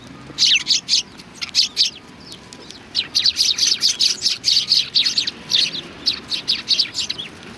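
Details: Sparrows gathering for food at a Tenmangū shrine, 25 November 2020, chirping in rhythmic bursts of sharp, high notes, several per second, from multiple birds with barely a pause.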